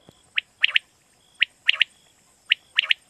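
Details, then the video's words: Sharp, liquid three-note phrases from a quail, repeated about every second; used in Pakistan to draw in quail for hunting at night. A faint steady high electronic hum sits in the background. "Batair Kirak batair ki Awaz For Night Hunting"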